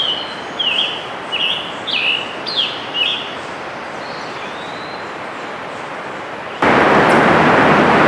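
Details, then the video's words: Scarlet tanager song recorded June 3, 2015 at Letchworth State Park, Upper New York State: a quick series of raspy, slurred phrases over about three seconds, then quieter notes and a sudden burst of loud rumbling noise. "Scarlet Tanager"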